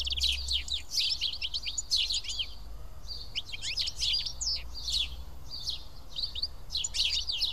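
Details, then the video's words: A flock of sparrows eating together at Karyotissa in Greece keeps up a dense, continuous chatter of sharp overlapping chirps from many birds, with only a brief lull midway. "Σπουργίτια (ήχος και εικόνα)"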